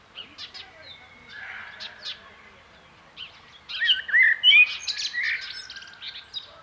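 Common blackbird giving quick high chirps mixed with short fluted whistles, building to a louder twittering burst midway, then fading back to scattered notes.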